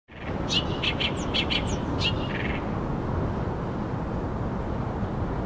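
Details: Oriental reed warbler singing actively at the waterside of the Arakawa River in Tokyo: a burst of harsh, chattering notes, repeated rapidly for about two seconds, over steady low rumbling background noise.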